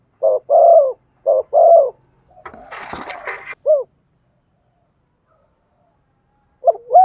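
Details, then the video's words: Cooing of a spotted dove used to spur a decoy bird to sing: two low short-long coo pairs, a burst of scraping noise, one more coo, then silence before a final coo. "Chim cu gáy kích bổi nhanh nổi. tiếng cu thúc gù hay"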